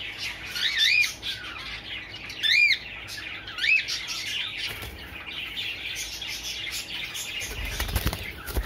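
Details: Cockatiels just released into a new cage give bright, rising and falling whistled calls, with fluttering wings and chatter behind.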